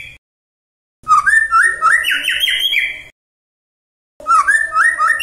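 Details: Murai song used to provoke rival murai. A long phrase of rising, stepped trills and rich whistled notes ends, and after a silence of about a second a similar phrase starts again.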